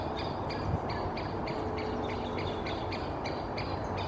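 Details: In Helsinki, Finland, during May, a pair of Great Spotted Woodpeckers moves about a birch crown while one keeps up short, sharp repeated calls roughly twice a second, against a steady low rumble.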